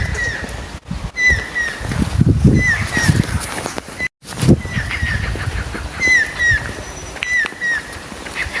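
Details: Stork-billed Kingfisher, found in Thailand, repeats falling whistled notes in short runs, with low rumbling background noise and a brief dropout midway.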